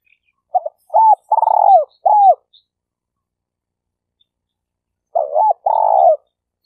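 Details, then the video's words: Spotted dove kept as a decoy bird for trapping, Malaysia: two coo phrases about four seconds apart, each with short clipped notes, a hooked rising-falling coo, and a long purring coo that slides down at the end. No other sounds. "Suara Burung Tekukur Denak Padu Juara All Star"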